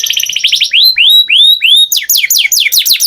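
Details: Short canary phrase: a quick trill, then four slow rising-and-falling whistled notes about a third of a second apart, then fast descending chirps.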